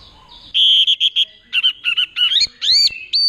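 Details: Kept orange-headed thrush in Mojokerto, Indonesia, doing 'teler' singing to attract a partner: a steady whistled note broken into pulses, then choppy warbles climbing into rising whistled slurs.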